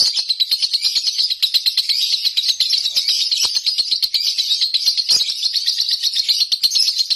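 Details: Nonstop konslet song of a lovebird kept at home: rapid, piercing chirps strung together into a steady, unbroken buzzy chatter.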